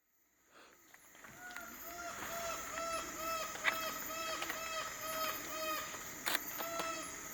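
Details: A twelve-wired bird-of-paradise during display at Nimbokrang, August 2019, gives short, nasal, slightly arched notes about twice a second over a steady high insect whine, with occasional knocks and faint voices.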